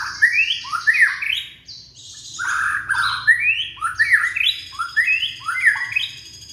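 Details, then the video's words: Young Indonesian white-rumped shama singing as a lure for shamas that won't sing: rich rising and falling whistles mixed with high buzzy overtones, in dense repeated phrases. "Murai batu muda tunjukan pesona,cocok buat pancingan murai macet bunyi"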